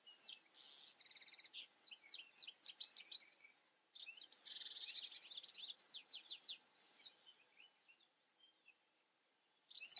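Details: A European goldfinch sings two long bursts of rapid tinkling twitters mixed with buzzy rasping trills, high and jangling, separated by a short gap, ending in quiet before a final note.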